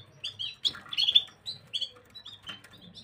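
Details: Gloster canary recorded on 9 January 2023, giving short bright chirps and brief warbled phrases with quiet gaps between bursts, over a faint low hum.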